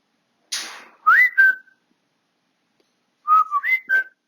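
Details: Whistling from a pet African grey parrot indoors on 20 August 2022: two short phrases of upward-sweeping then level whistles, each phrase under a second, separated by a quiet gap, with a brief rustle at the start.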